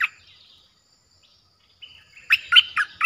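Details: Streak-eared bulbul, aggressive-sounding and played to lure wild birds. A brief chirp, a pause and a short whistle lead into a fast run of four sharp, bright notes at the end.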